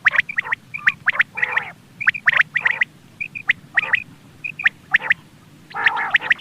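Quail giving sharp, high clipped notes mixed with harsh rasping chatter bursts, at an uneven pace of roughly one call a second, over a low steady hum.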